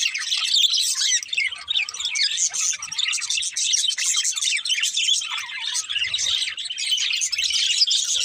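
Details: Steady chorus of budgerigars chirping for over eight seconds: a thick, unbroken chatter of high twitters, squeaks and rapid warbles, with no other sounds standing out.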